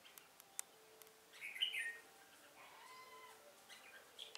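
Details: A red-whiskered bulbul serves as a trapping lure, 1 November 2017. One loud, fluty, chattering phrase stands out in the middle, followed by softer sliding whistles and faint ticking sounds.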